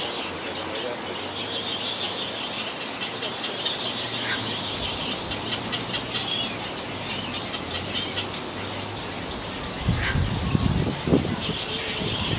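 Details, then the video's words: Little egret chicks in Taiwan, June 2016, eagerly waiting to be fed: rapid harsh chattering squeals repeated about three times a second. A low steady hum runs underneath, and louder clattering bursts come near the end. "Baby little egret/ Egretta garzetta eagerly awaiting to be fed 小小白鷺搶著被餵食"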